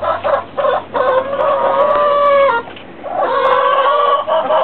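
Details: A rooster gives a single drawn-out, level crow lasting about one and a half seconds. Short clucks come before and after it, with a steady low hum beneath.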